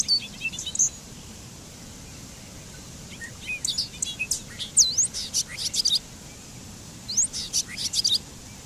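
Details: Singing Bobolink delivers bursts of bubbly, metallic, tinkling notes that jump and slide quickly in pitch, with quiet pauses between phrases.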